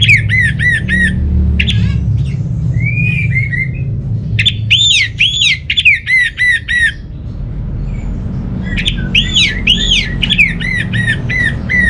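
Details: Orange-headed thrush song from northern Bali, used to coax quiet caged birds into singing: bursts of rapid arched whistled notes, rich and loud, separated by short pauses, with a steady low hum beneath.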